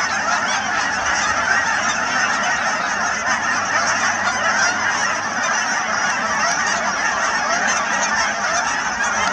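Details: Canada geese massed at the Cheam Wetlands, Chilliwack, BC, a relentless chorus of honking from thousands of birds, steady in loudness throughout, with a low hum early on.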